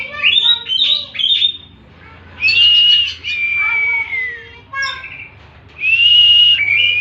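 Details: Oriental magpie-robin song: rapid rising chirps, then long clear whistles sliding slightly downward, and scratchy notes between phrases.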